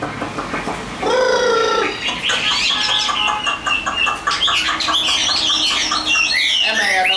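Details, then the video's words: Chinese hwamei offered for sale, singing: harsh nasal stacked notes at first, then a loud, dense run of varied whistled phrases and trills. "HM 1505 SIÊU MẪU GIÁNG ĐẸP HÓT TỐT"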